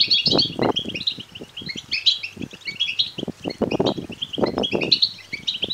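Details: European goldfinch chick begging calls, played to rouse males to sing and mate; busy, high-pitched chirping with many overlapping voices, punctuated by repeated low thumps and flutter-like rustling.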